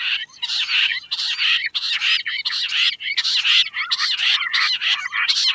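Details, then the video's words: Queen quail uttering loud, harsh, rasping bursts one after another, each about half a second long with brief gaps between them. "Queen quail sound || Lohari ka Awaaj"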